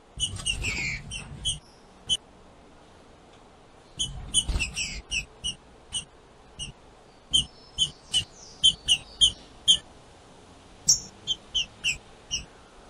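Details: A female green-winged saltator (trinca-ferro) gives sharp, high chipping notes in irregular bursts, used to warm up and stir a male.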